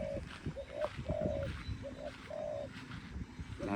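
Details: Dove calling near nightfall: a series of low, steady coos, some short and some drawn out, given at irregular intervals, with human voices and rustling in the background.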